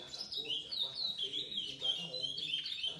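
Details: Whistled song of a chestnut-bellied seed finch aged seven months: flowing, warbled notes rising and dipping, with a quiet low murmur behind.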